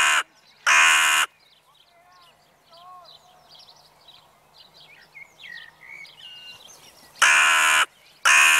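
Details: Evening crows: two harsh caws open the clip, then small birds chirp and twitter softly for several seconds before two more loud, rasping caws close it.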